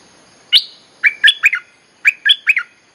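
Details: Bulbul song used as a lure to attract wild birds: one high sharp note, then two matching phrases of three bubbly chirps, each phrase lasting about half a second, with clean background.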